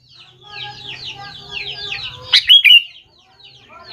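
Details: Sooty-headed bulbul lure call for young birds: one loud, bright, ringing phrase of three quick notes after steady chirping from many birds, then a brief lull.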